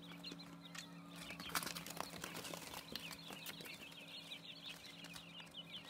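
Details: Six-day-old quail chicks giving a dense chorus of thin, high peeping chirps that overlap continuously, with a steady low electrical hum underneath.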